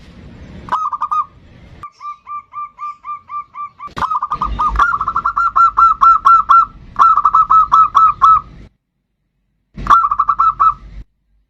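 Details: Bodronoyo zebra dove singing actively, a lure to get other birds singing: bursts of rapid, evenly repeated mellow cooing notes, several runs separated by short pauses, with a brief thump of handling noise near the start.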